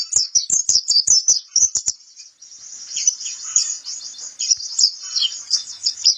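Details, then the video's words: Pleci kapur white-eye delivering quick, staccato high chirps in clustered phrases, a brief pause, then a softer, unbroken stream of thin, high twittering warbles. "suara burung pleci kapur"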